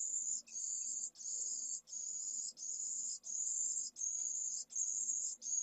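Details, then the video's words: A pallid swift chick only a few hours old, from a second clutch in a nest at Jerez de la Frontera in late May, begs vigorously for food with very high, buzzy hissing bursts repeated about eight times. "PRIMERAS CEBAS pollo de 2ª puesta - Vencejo pálido"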